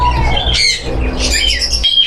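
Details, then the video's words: Captive conures in a collection give harsh, grating squawks in quick bursts over two seconds, with a steady low hum underneath from a room or machinery. "কুনুর পাখির দারুণ কালেকশন"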